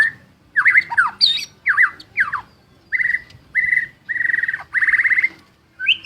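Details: White-rumped shama, a champion singer full of energy, pours out quick looping whistled phrases, then a run of steady, even, buzzy-edged whistled notes repeated about every half second, ending on a rising whistle.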